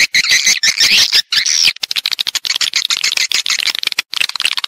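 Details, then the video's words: Swiftlets recorded in stereo giving calling and roosting sounds: dense, buzzy twittering at first, then a fast, uneven stream of clicking chirps. "suara wallet-suara walet panggil + inap stereo-Suara Walet Original Bersih Plus Jernih"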